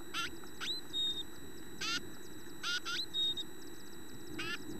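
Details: Adult chickadees feeding young and teaching them calls give harsh, buzzy dee notes in bursts about once a second, mixed with a few clear, high whistled tones over a low background rumble.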